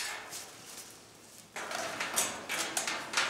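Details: Cockatoos in family life indoors; after a quiet start, harsh broadband screeches burst out at about 1.5 seconds and repeat in rough, uneven bursts to the end.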